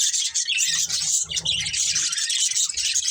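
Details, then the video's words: A family of budgies kept as pets chatters nonstop in a busy, high-pitched warble of scratchy chirps and squeaks, with faint low rumbles of handling noise underneath. "Cute Budgies Chirping Sounds"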